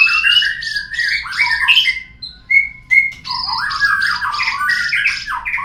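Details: White-rumped shama song used as a lure to make birds sing: buzzy chattering phrases and clear whistles, two sharp piping notes midway, then a loud scratchy warble.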